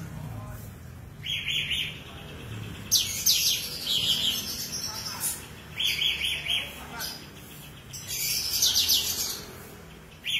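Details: Tame sooty-headed bulbul in full, lively song, used as a tutor for magpie robins: short bright whistled phrases with quick trilled flourishes come in bursts every couple of seconds, separated by brief pauses.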